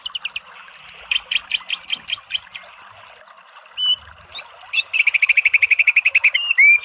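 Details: White-rumped shama tembakan song: a few stuttered notes and a short pulsed run, scattered brief whistles, then a fast rattling trill of high notes ending in clear rising and falling whistles.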